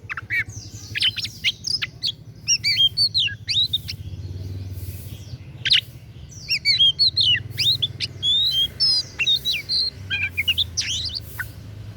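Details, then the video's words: Oriental magpie-robin in lively song: rapid bursts of sharp, high chirps, trills and slurred whistles, delivered in quick phrases with short pauses across twelve seconds, over steady low-pitched hum. "KICAUAN KACER DAPUT MEMPESONA"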